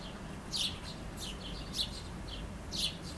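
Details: A chickadee grabbing food near a house, heard through an opened back window; a few high, slightly buzzy paired notes spaced about half a second to a second apart, with a constant low background drone.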